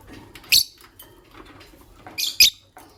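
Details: Green Personata lovebird and albino lovebird in the morning: two short bursts of shrill, high squeaky chirps, the second a rapid double, separated by quiet low background rustle.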